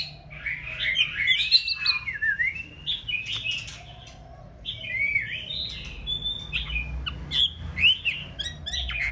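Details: Breeding-season female white-rumped shama, in full plumage, singing to stimulate a male: continuous tumbling whistled warbles with rising and falling notes, a short pause midway, then more varied phrases with light clicks.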